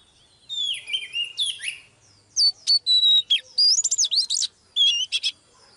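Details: Oriental magpie-robin song, a female setting a male singing: softer scratchy warbling at first, then loud pure whistles, looping slurred notes and sharp clipped chirps.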